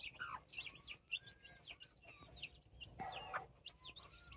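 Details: Two mother hens with nine chicks, mini and Brahma, dated October 24, 2024. Chicks give rapid, high, arched peeps in chorus, broken by short lower hen clucks at the start and around the three-second mark.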